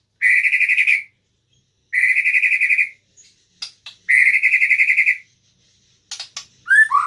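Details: White-rumped shama singing indoors in a room: three long stuttering phrases of rapid, even buzzy notes, each about a second long, separated by short pauses, followed by sharp clicks and a pair of downward whistles.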